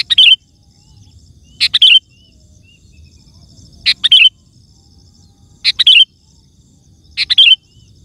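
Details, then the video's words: Sooty-headed bulbul song used to call wild birds in forest or garden; loud short liquid whistled phrases of a few notes, repeated roughly every two seconds over a low background hum. "Suara Burung Kutilang Gacor❗ Lantang Bikin Gacor Kutilang Lain"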